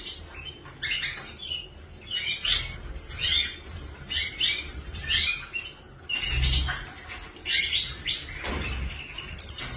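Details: Canaries calling in a lively string of sharp, high chirps and squeaky notes, grouped in quick clusters every second or so. A few louder squawk-like tones stand out, with soft low thumps in the background.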